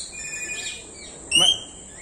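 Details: Common hill myna (Gracula religiosa) at Jamshedpur Zoo gives one loud, brief, rich, slightly buzzy voice-like utterance mimicking speech, repeatedly saying "hello", over a steady thin high-pitched hiss.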